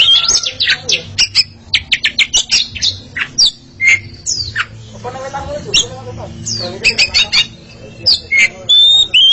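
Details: Pair of Oriental magpie-robins dueling in song, with fast high chirps and whistles, a stretch of harsher, lower buzzy chatter in the middle, then more sharp whistled notes; a faint low hum lies underneath.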